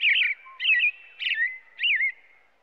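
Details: Four clear caroling phrases from an American robin, evenly spaced about every half second, each a bright slurred whistle sweeping up and down in pitch.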